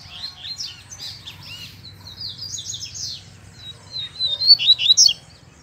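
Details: Double-collared seedeater in the wild, in bush where a chick was heard calling; a fast run of high chirps and slurred whistles, ending in a louder burst of sharp notes.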